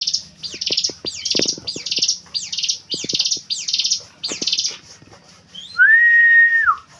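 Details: Javan prinia, locally ciblek gunung, sung as training audio for songbird keeping: a fast series of harsh, buzzy, high chirped notes repeated about every half second, then a long steady whistle ending in a downward slide.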